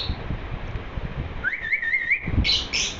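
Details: Pet lovebird chirping happily: after low room noise, a wavering whistled warble holds steady for under a second, followed by a couple of loud, high chirps.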